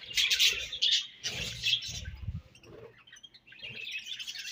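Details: Pet budgerigars chattering while eating their favourite food: bursts of bright, scratchy chirps alternate with low pecking and crunching noises, the chirping rising again toward the end.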